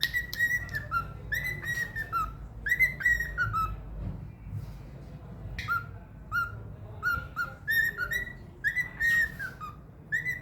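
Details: Cockatiel kept as a pet, whistling the trained melody "Another One Bites the Dust" almost perfectly: repeated harmonic whistles, each dipping at the end, in rhythmic groups with a brief pause midway.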